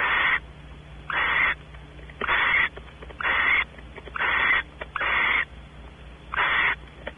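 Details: At Audubon Starr Ranch in California, a female barn owl expecting mating while the male explores the nest cavity; rasping hissed bursts, seven in quick irregular succession, each short and noisy, over a low steady hum.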